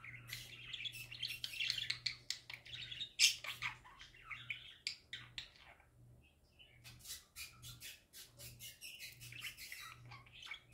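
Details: Happy pet parakeets warbling and chirping: squeaky twitters and one loud sharp squawk early on, a quiet moment near the middle, then a renewed run of rapid clicking chirps, over a faint pulsing hum.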